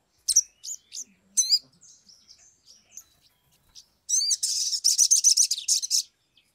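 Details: Sumatran leafbird singing agitatedly as a lure to trigger song in other birds: scattered sharp high slurred notes and twitters, then a loud two-second run of rapid, rasping high trills.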